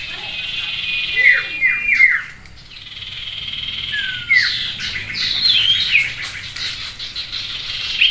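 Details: Common iora song in a simulated bird-singing contest used as therapy to train the bird's mental steadiness: clear descending whistled slurs, then dense buzzy chattering phrases with sharp rising notes, several birds overlapping.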